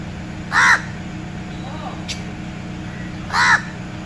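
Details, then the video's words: Crow giving two harsh, hoarse caws about three seconds apart, with a soft quieter call between them over a steady low background hum. "Crow - Black Queen"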